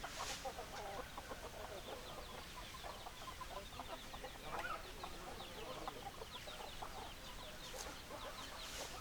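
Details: Chickens clucking, many soft short clucks overlapping in a continuous murmur, with a few brief sharper notes standing out from the flock.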